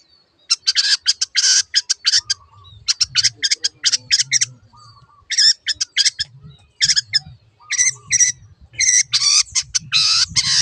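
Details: Long-tailed Shrike, a cage bird singing actively: dense bursts of harsh, scratchy chattering notes in quick clusters, separated by short high thin whistles and brief pauses. A faint low murmur runs underneath.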